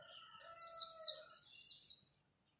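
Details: Japanese white-eye singing khuyên líu at dawn in competition, one continuous stream of about six very high, falling twitter notes lasting under two seconds, over steady lower whistled tones.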